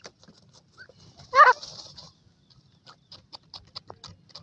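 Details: ['Female black francolin with her chicks: one loud, coarse, buzzy note early on, followed by faint scattered chick chirps and soft clicks.']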